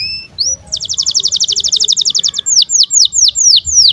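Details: Canary in breeding condition with birahi chirps meant to stimulate young canaries to sing and roll: a rising whistle, a long rapid trill of bright pips, then slower sweeping down-slurred notes.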